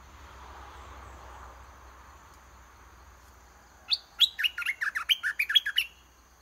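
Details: Caged decoy red-whiskered bulbul singing steadily to draw a wild bird down to fight; after a quiet stretch of faint background hum, a quick two-second burst of bright, warbling chirped notes tumbles out in rapid succession.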